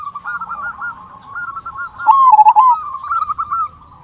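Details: A zebra dove's lure song for making other zebra doves sing. Overlapping soft coo phrases lead up to one louder rolling trill, followed by more steady cooing.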